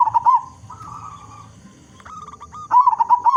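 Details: Big-voiced local zebra dove, sung to lure other zebra doves into calling. A rolling coo closes as the recording opens, quieter doves coo in the middle, and a fresh bubbling phrase of rapid notes follows. A faint steady whine persists.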